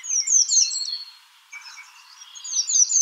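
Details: American redstart calling: high, thin, downslurred notes in quick runs near the top of the range, a quieter pause around the middle, then another burst of sharp high notes at the end.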